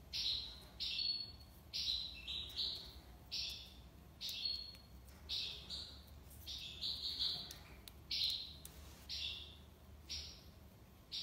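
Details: Tiwawati song of a goldfinch: a long, busy series of short buzzy twitters, roughly one per second, fairly even in loudness throughout.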